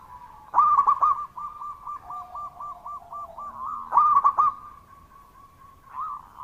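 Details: Loud, persistent local zebra dove song: a sharp stuttered opening, then a fast even series of soft rolling coo notes, repeated with a second stuttered burst and a closing coo.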